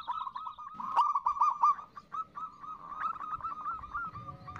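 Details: Quiet nutut calling by a female zebra dove toward the male: soft, continuous strings of arched cooing notes that rise and fall slightly, with faint background noise.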